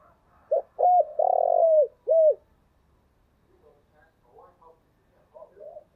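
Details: Spotted dove calling as a lure, loud close cooing: a short note then long sustained coos falling at the end, followed by fainter distant coos.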